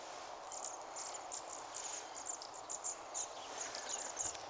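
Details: Bohemian waxwings in winter, a flock feeding in a mountain ash on Christmas Day 2010: thin, high, trilled notes repeat in quick succession from several birds over a steady hiss.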